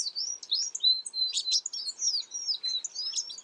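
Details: High, clear chirps and slurred whistles from an American tree sparrow, delivered in rapid irregular bursts with little pause between notes and no other sounds.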